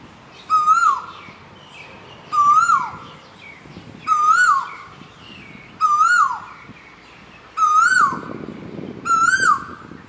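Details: A male Asian koel on Koh Samui, Thailand, gives six loud, rising-then-falling "ko-el" calls, repeated about every two seconds over a faint low background hum.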